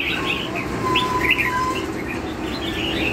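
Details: Red-whiskered bulbul, "lân hầu bò" song style: short bright warbled notes in quick succession over a low steady hum.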